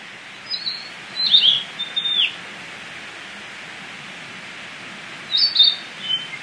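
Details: In its natural habitat in Indonesia, a tledekan flycatcher sings two bursts of high whistled notes, sharp and slurring downward, separated by a few seconds of quiet hiss.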